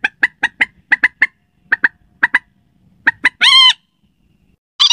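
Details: Slaty-breasted rail lure call, described as suited to night use: a series of sharp, clipped notes, some in quick pairs, repeated about twice a second. A longer harsh, buzzy note follows, with another at the end.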